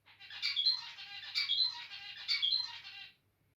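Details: Zebra finch singing indoors: three near-identical buzzy, nasal phrases with high squeaky whistles, each about a second long, flowing together over a faint low hum.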